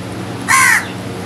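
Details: A single loud, drawn-out raspy caw from crows feeding together, standing out sharply against a faint low hum.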